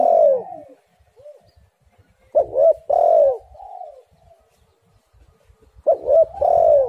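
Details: Spotted dove coos recorded as a lure to make doves sing: a long falling coo, then two full phrases of short rapid coos ending in a drawn, descending note, with soft single coos in the pauses.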